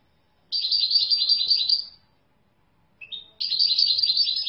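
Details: European goldfinch gives a fast, buzzy, high trill lasting over a second, falls quiet, then utters a short clipped note before a second rolling trill begins.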